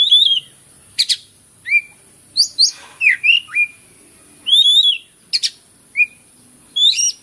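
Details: Oriental magpie-robin (kacer) in full loud song, delivering clear whistled notes and short slurred phrases in quick bursts, with high sharp chips between them and near-silent gaps.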